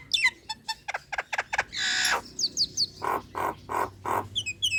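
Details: Female Nias hill myna calling males as a lure for rival birds: quick descending chirps, a string of clicking notes, a long harsh screech, high whistled slurs and three loud nasal squawks.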